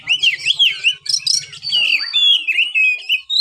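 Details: White-rumped shama singing a continuous run of looping whistles and rising, wavering notes, with a faint low buzzing at the start.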